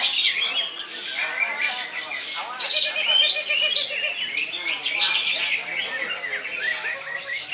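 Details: Cucak ijo, the greater green leafbird, singing continuously: high twittering runs, sharp squeaks and a short series of rapid evenly spaced lower notes, all delivered loudly without break.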